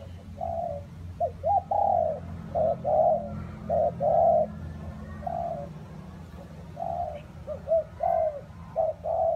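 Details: Low, throaty coos of a spotted dove in rainy, windy conditions, repeated in uneven groups of short and sustained notes, some with a slight downward slide, against steady low-pitched noise.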